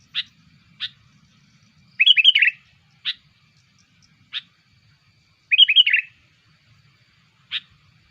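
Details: Lure recording of a sooty-headed bulbul for attracting bulbuls: scattered single sharp notes, with two bursts of rapid, bubbly chatter between them.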